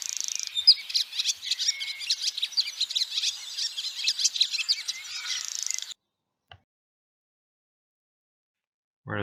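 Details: Barn swallow (Hirundo rustica) call, played for comparison with house martins and swifts: a fast, busy run of high twittering chirps and warbles for about six seconds, then silence.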